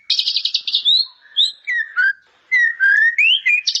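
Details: White-rumped shama song with bar-winged prinia fill, opening with a rapid buzzy trill followed by spaced slurred whistles, rising notes and a closing trill.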